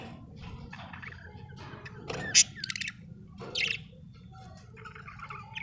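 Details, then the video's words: Budgerigar, an Australian bird, giving a few scattered chirps: a sharp high note, then a short buzzy squeak over a steady low background hum. "Australian beautiful birds sound 😍 budgie chirping sound"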